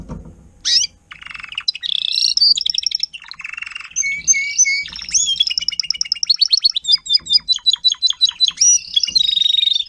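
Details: Timbrado canary, a caged adult tutor singer teaching young canaries to sing, 2021: varied canary song of rapid trills, clear whistled notes and buzzy rolls shifting every second or so, loud and continuous with brief pauses.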